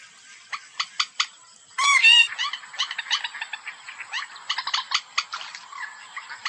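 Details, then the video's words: Hunting lure call of the white-breasted waterhen, loud croaking harmonic notes, one long strident burst followed by rapid repeated shorter calls, over a constant high-pitched hum. "SUARA PIKAT MANDAR BATU"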